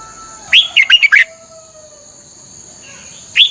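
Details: Red-whiskered bulbul in Thailand, a song played to excite and train caged birds. One quick warbled phrase of several chirpy notes, then quiet, and the start of a second phrase at the end. A faint steady high tone continues.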